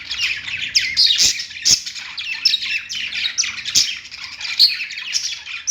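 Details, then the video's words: Pet parakeets warbling on a perch, a dense run of chirruping, squawky notes and whistled chirps, with several crisp clicks breaking through. "budgies singing on perch | parakeet chirping sounds"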